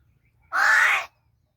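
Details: Angry talking crow in Palghar giving a single drawn-out hoarse, grating call of about half a second, after a man asks where it is and before he asks whether it is angry.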